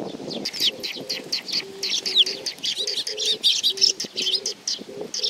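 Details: Several sparrows come to be fed at Tenmangu, Nakanoshima, 7 June 2020, chirping sharply and continuously; low, steady pigeon coos hum underneath.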